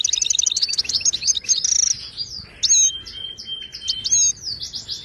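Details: Moroccan goldfinch of the Ouidani type, song for training caged birds: opens with a fast stuttering trill, flows into buzzy twittering, then clear drawn-out whistles and bright chirps, loud and close.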